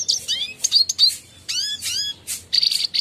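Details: Clear red siskin song meant for tutoring caged birds: bright chirps, upward-sweeping whistled notes and brief twittered phrases in quick succession over a quiet background.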